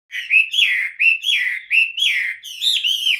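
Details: Caged Chinese hwamei with yellow legs and yellow bill, fanning its rump feathers, sings loud, clear whistled phrases that slur up and down, about seven quick swooping notes in three seconds, each rising then falling.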